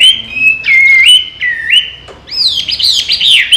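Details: Chinese hwamei kept as a trained pet, free to fly from its cage and back, sings sliding whistled notes that step down and level off, then a burst of rapid, warbling high phrases.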